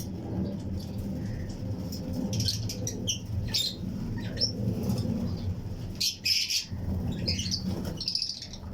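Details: Fischer's and lutino lovebirds in pairs in a flight colony aviary, chirping along with other birds; scattered sharp high chirps and squawky bursts over a steady low hum, with wing flutters.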